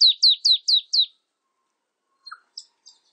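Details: Marsh tit (Poecile palustris) calling: a rapid run of five high, sharply down-slurred notes in about one second, then after a pause a few faint, thin notes.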